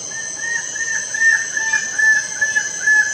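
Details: Lesser bird-of-paradise giving a steady series of loud, slightly upslurred call notes, about one per half second, over a constant high insect drone.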